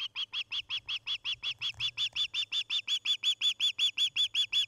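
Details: Osprey at a nest cam in Charlo, Montana, on an evening in late August 2018: a steady run of sharp whistled chirps, nearly three per second, evenly spaced and holding the same pitch throughout, with a faint low hum beneath.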